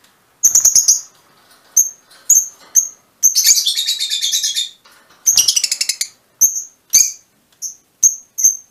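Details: Mutation Fischer's lovebirds calling with repeated piercing single chirps, interrupted by a long buzzy chattering stretch and a fast stuttering series of clicky notes, before single shrill tweets resume at roughly half-second intervals.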